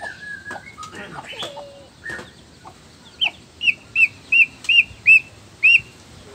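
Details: Black-tailed white-rumped shama male from Nias singing to stir rival males: scattered calls and clicks open the clip, then a clear arched note is repeated roughly every half second, seven times.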